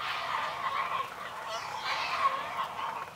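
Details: Great blue herons feeding a chick in a feeding frenzy: a steady, harsh, rattling chatter of overlapping grating notes that swells and fades, with no pause, for the whole stretch.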